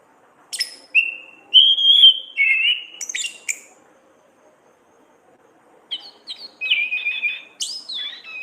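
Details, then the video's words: Orange-headed thrush singing ngeplong ngriwik phrases for training songbirds: bursts of clicks and varied whistled warbles, a pause of about two seconds, then further twittering whistled phrases. "Pancingan masteran terapi burung Anis kembang ngeplong gacor ngriwik"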